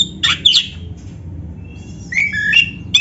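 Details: Oriental magpie-robin with black breast, a training recording for caged birds: a pair of harsh chattering bursts, a pause, then scattered clear whistles rising and falling, with faint background hum.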